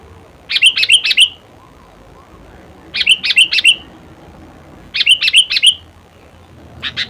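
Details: Sooty-headed bulbul repeating a compact phrase of four bubbly chirped notes roughly every two seconds, steady and regular, against a quiet background.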